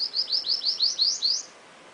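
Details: Caged seedeater singing a quick series of about eight high, rising slurred notes, roughly six per second, each sweeping upward and growing slightly louder, then stopping abruptly; quiet room background.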